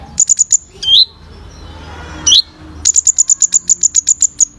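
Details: Kolibri Ninja sunbird in vigorous full song used as training sound for caged birds: rapid bursts of very high metallic chips repeated about four per second, broken by brief downslurred whistled notes and a sharp upswept note.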